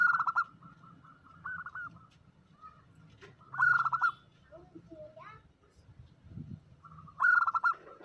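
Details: Female zebra dove calling to a male as an omyokan lure: trilled coo phrases with loud, harsh stuttering bursts recurring about every three and a half seconds, some fainter sliding notes, and a steady low rumble.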